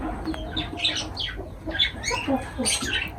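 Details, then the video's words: Feeding lovebirds give scattered high squeaky chirps and short rasping notes, several calls overlapping at irregular intervals. "Love birds voice sound"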